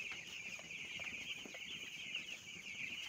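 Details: Broiler chicks kept for rearing produce an unbroken chorus of high-pitched peeps, many birds calling together in rapid overlapping chirps, with faint low background rumble.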